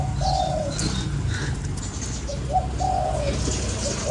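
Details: Spotted dove call for luring a decoy bird, a long throaty falling coo, then short coos leading into another long drawn note, with low rumble and faint distant birds.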